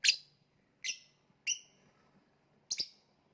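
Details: Lovebird chirping: four bright, piercing high notes, each a short sharp burst that fades quickly, spaced under a second apart, the last one doubled, over quiet background.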